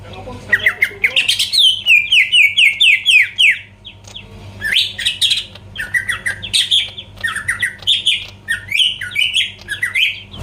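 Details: Greater green leafbird song aimed at provoking rival birds: repeated downslurred whistles in a quick run, then bursts of harsh buzzy notes alternating with varied whistled phrases over ten seconds; low steady hum.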